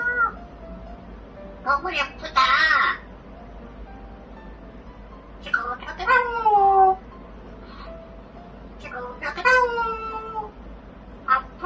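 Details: A talking parrot at home produces scattered speech-like utterances: a harsh burst, then drawn-out falling phrases with rich overtones, separated by long silent gaps.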